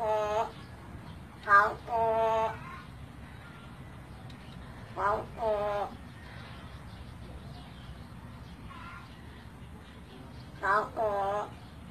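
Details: Crow kept as a pet and talking to its owner: repeated short bursts of hoarse, voice-like syllables, with several grouped utterances separated by pauses of a few seconds over a quiet indoor background.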